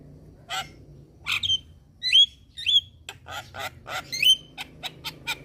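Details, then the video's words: Starling lure aimed at Javan myna, black-winged myna and Nias hill myna: scattered harsh nasal squawks alternating with a few sharp rising whistles, then quick dry clicks near the end, with quiet gaps between. "Pancingan Semua Jenis Burung Jalak | Jalak Kebo Jalak Putih / Jalak Nias Langsung Respon"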